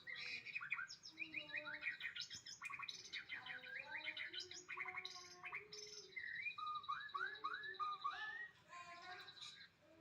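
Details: Rich, fast white-rumped shama song mixing chattering notes, upward slides and clear whistles in quick varied phrases. A run of bright looping whistles follows near the end, over steady background hiss.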